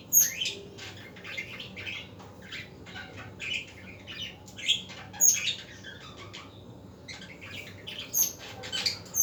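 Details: Budgerigars heard in the afternoon, giving scratchy chirps and squawks in short bursts, some sharp high notes standing out, with quieter gaps between groups of calls.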